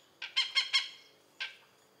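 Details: Oriental pied hornbill recorded in Malaysia: harsh, nasal squawking notes, a quick burst of four loud cackles followed after a short pause by one more, with no other sounds clearly heard.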